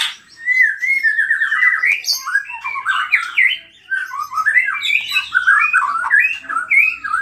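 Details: An agitated white-rumped shama sings continuously, unloading its repertoire of borrowed phrases to provoke other shamas: a dense, unbroken stream of rich warbled whistles, rising and falling, with harsh scratchy notes mixed in and hardly any gap.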